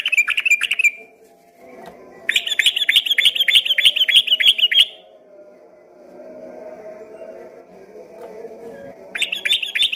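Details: Yellow-vented bulbul singing actively, at first mistaken from a distance for a straw-headed bulbul. Three bursts of fast, stuttering, chattering notes about five per second, with quiet gaps and a low background hum between bursts.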